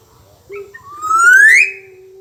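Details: Black-naped oriole, reported as singing vigorously, giving a brief low note and then one long rising nasal whistle that swells and stops suddenly. A steady background hum is present.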